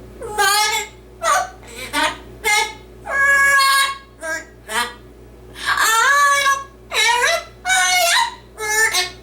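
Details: Male yellow-naped amazon parrot kept as a pet, reciting a Dr. Seuss book and singing in his routine skit; a dense run of loud, harmonic, speech-like syllables, some drawn out and wavering, over constant low indoor hum.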